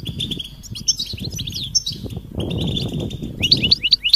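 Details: European goldfinch calls said to draw a silent male into song: scattered high twitters and trills over a rumbling low background, ending with a quick series of loud, sharp rising chirps.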